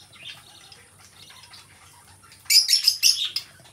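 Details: Pet lovebirds kept as companions chirping: quiet background for the first two and a half seconds, then a loud burst of bright, rapid high chirps and tweets lasting about a second before fading.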